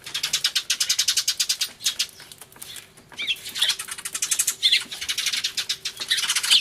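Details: Noisy sparrow commotion, recorded 24 March 2013 with an Everio camcorder, a turtledove nearby: rapid runs of loud, high chirps, several per second, a brief lull around two seconds, then renewed frantic chattering.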